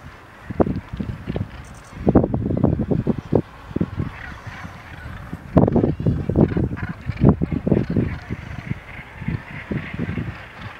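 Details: Common guillemots on Helgoland give deep, growling calls in overlapping bursts, like a murmuring crowd.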